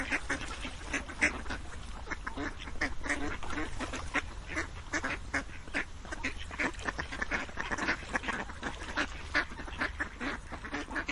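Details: Ducks keep up a long, crowded chorus of quacks and honking notes, short bursts piling over each other without a break.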